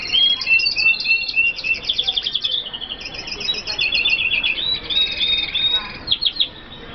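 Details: An F1 red siskin of Colombian origin delivers dense, rapid high twittering, stacked chirps and quick buzzy trills, ending with a few sharp separate notes.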